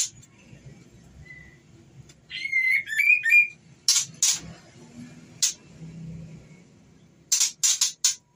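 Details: Calling to the male, a breeding-condition female white-rumped shama gives a warbled whistle phrase of sliding notes. Loud harsh rasping bursts scatter before and after it, with a faint short whistle early on.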